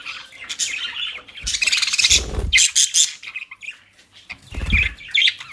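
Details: Several pet budgerigars kept in the Den Haag region, South Holland, Netherlands, given dry leaves and grass bought at a bird shop; busy squawky chatter and chirps in bursts, with low thumping handling noises between calls.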